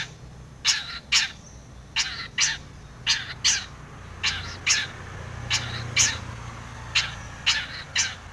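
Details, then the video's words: Long-tailed shrike (cendet) in full, lively song with varied fill, used as a lure to provoke other shrikes into singing: harsh, broadband rasping notes, often in quick pairs, repeated irregularly over a low steady hum. "SUARA cendet gacor full isian TOMICENG pancingan cendet agar bunyi"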